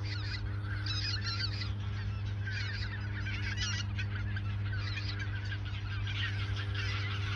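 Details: Geese in the Ochsenmoor nature reserve, autumn 2022, a few days before migration south; loud waves of honking from a flock, pulsing in bursts, over a steady low hum.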